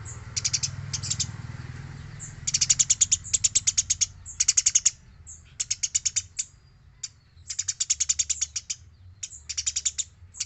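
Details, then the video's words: Eurasian tree sparrow in active, clean song meant to train other birds: repeated rattling bouts of high, rapid chirps, some long runs of over a dozen notes, separated by short pauses, low hum underneath. "MASTERAN GEREJA GACOR SUARA BERSIH"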